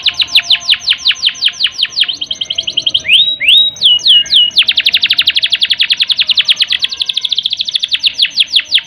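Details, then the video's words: Canary long-roll song for prompting unmotivated canaries to breed: brisk trills give way to a pair of rising glides and sweeping notes, followed by a long, even, rapid roll. "Kenari Gacor Ngerol Panjang Untuk Pancingan Kenari Yang Kurang Emosi Dan Birahi, Canary Bird"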